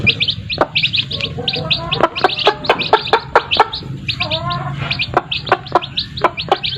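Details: Chickens, chicks beside their mothers: continuous high, slightly rising peeps from several chicks, mixed with frequent sharp taps and a softer lower hen murmur in the middle, over a low background hum.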